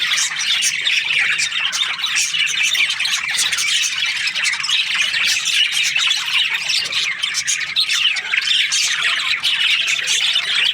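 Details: A long stretch of budgerigar chirping from breeding pairs: dense, raspy chattering and high tweets from many parrots, continuous and even for about eleven seconds.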